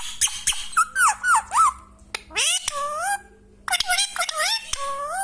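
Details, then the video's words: Parrot vocalizing indoors in a small room, a run of whistled, wavering notes followed by longer rising and swooping squeals with harmonics, brief pauses between phrases; a low steady hum underneath. "#parrot #bome#singing#parrot"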